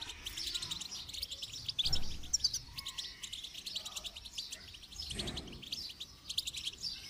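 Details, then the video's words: Goldfinch song during song training: fast, high twittering with rapid buzzy trills and tinkling notes, running nearly continuously over a low background rumble. "Motivational rewards for training goldfinch to song"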